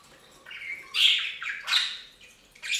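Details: Pet budgerigars taking a bath on a budgie fountain, giving a thin drawn-out whistle followed by a few harsh, squawky chirps in quick irregular bursts, with quiet gaps between them.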